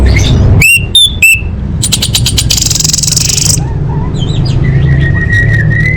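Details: Lure recording of orange-headed thrush to get caged birds singing. Three loud ringing notes, then a dry buzzy rattle, then a long high trill and thin steady whistles, over a low droning background hum.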